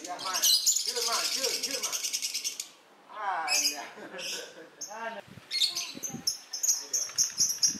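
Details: Captive-bred lovebird in breeding condition, singing: a long stream of harsh buzzy chatter and rasping notes, broken by a short pause, then quicker squeaky twittering phrases repeated rapidly.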